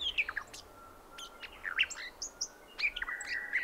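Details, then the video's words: Brown Thornbill on the Brandy Creek Mine Track, Mt Hotham, Victoria, Australia, early morning on 29 December 2011, giving scattered high chirps and short warbled phrases, with sustained whistles from background birds. "Brown Thornbill with sonogram"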